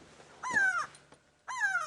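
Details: Upset grey go-away-bird screaming overhead on an afternoon safari drive, June 27, 2016, South Africa: two harsh, nasal, drawn-out 'gwaay' cries about a second apart, each sliding slightly downward; the species alarm-calls at predators. Grey go-away-bird.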